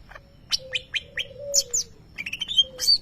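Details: Greater green leafbird, a champion contest bird imitating a lovebird: sharp downslurred chirps over a faint low steady whistle, followed by piercing high squeaks and a rapid trilled phrase.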